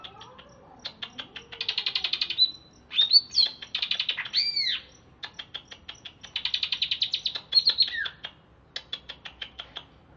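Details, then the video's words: Greater green leafbird from Alas Purwo, Banyuwangi, lively after a bath: dense, varied song of rapid clicking ticks, buzzy trills and arched whistled notes, delivered almost continuously. "Cucak Ijo Alas Purwo Cerewet"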